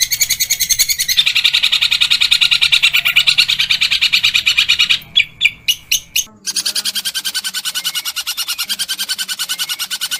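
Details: Long-tailed shrike training recording in harsh 'tembakan kasar' style, said to include fighting tree sparrow and kingfisher imitations: dense rapid scratchy notes, a broken run of loud separate bursts midway, then fast ratcheting chatter resumes.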